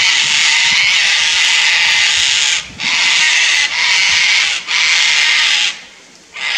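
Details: Sulphur-crested Cockatoo pair, Fraser Coast, Queensland, Australia, agitated by a Lace Monitor close to their nesting tree, giving almost unbroken raucous screeching in long harsh bursts separated by brief gaps.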